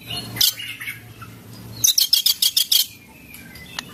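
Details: White-rumped shama singing a cililin fill-in: a loud high note near 0.4 s, soft warbled phrases, then a fast run of around eight sharp, clipped high notes, followed by a faint whistle, with a low background hum.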